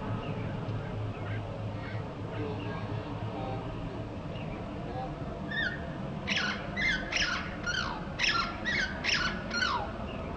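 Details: A male Russet Sparrow (Passer rutilans) at Mandal, Uttarakhand, India, in May 2016 gives a quick run of about eight sharp, descending chirps in the second half, over a steady low rumble of background noise.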